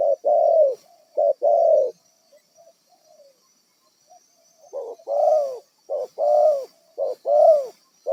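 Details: Spotted dove from the wild serving as a trapping decoy: two rich low coos, a lull of faint soft murmurs, then a run of short-long coo pairs.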